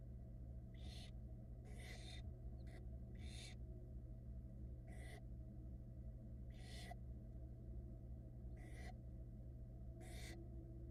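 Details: A run of about eight rasping hisses from barn owl chicks at a Florida nest box in 2022. The brood reacts to the mother drying herself after a soaking, and the bursts fall roughly every second over a low hum.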